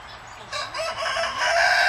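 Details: Close-range farm turkey near Edmonton, Canada, bursting into a loud, fast, throaty rattle that builds in strength and carries to the end.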